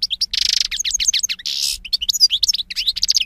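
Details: Goldfinch song mixing rapid liquid twitters with two harsh buzzy rasps, followed by a lively sequence of tinkling chirps and trills.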